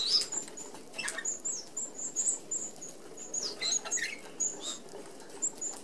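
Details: Red-browed finches feeding as a flock through a fine-mesh open aviary feeder. Frequent thin, high tsee notes from several birds mix with whirring flutter and pattering.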